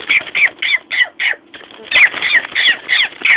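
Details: A pet female Amazon parrot gives a fast run of harsh, crow-like squawks, about three a second, with a brief pause midway; her owner says she imitates sirens, brakes, dogs and monsters.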